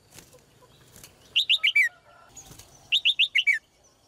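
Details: Red-whiskered bulbul female delivering two sweet phrases, each of four or five fast slurred whistles stepping downward in pitch, separated by a pause with brief rustles.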